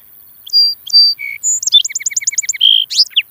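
A song sparrow sings a bright phrase: a few clear introductory notes, then a quick rattling trill of repeated notes, ending in a buzzy jumble.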